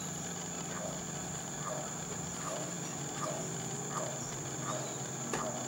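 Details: Golden-collared toucanet, performing a display while calling, viewed from a canopy tower, gives soft, low nasal notes, repeated steadily a little faster than one per second, over a constant high insect drone and low hum.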